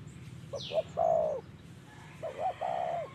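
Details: Spotted dove cooing in the 'giọng thổ' style while trapped with a decoy: two short coos lead into a long, slightly falling hollow note, then a rolling double coo and another drawn-out note. One high chirp from another bird.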